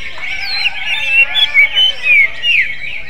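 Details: Greater green leafbird with a song reminiscent of a magpie-robin, a fluid chain of short whistled phrases, slurring up and down, that swells in loudness through the middle and fades near the close.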